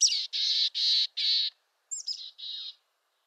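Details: Throaty chick-a-dee-dee-dee from a mountain chickadee in western North America: four harsh, buzzy dee notes in a row, then a fresh series opening with sharp high chips and two more dee notes. Nothing else is audible.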